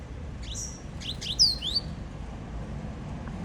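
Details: Double-collared seedeater singing in the Laranjeira song style, performing the 'cobrinha' phrase: a few high, clear whistled notes and sharp upward- and downward-slurred sweeps in a quick burst, over a low background hum.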